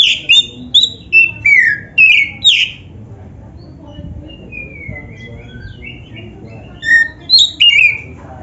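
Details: Loud training song of a black-breasted Oriental magpie-robin in gacor style, played to prompt other magpie-robins to sing. A run of sharp descending whistles opens, then softer warbling, then more ringing whistles near the end.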